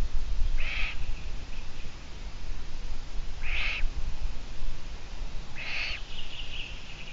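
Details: Eurasian eagle-owl on a live stream recorded 17 June 2017 at 12:14; three harsh, breathy rasps spaced roughly two and a half seconds apart, each followed by a thin hissing tail, against constant low-pitched hum.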